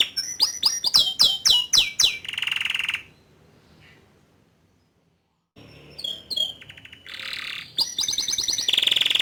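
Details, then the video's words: Young male Atlantic canary song used to provoke a juvenile to start singing: rapid series of descending whistled sweeps, a dense buzzy trill, a short pause, then more trills and chirps resuming. "Memancing Emosi Kenari Paud Dengan Kicauan Kenari Jantan Muda Agar Cepat Buka Paruh"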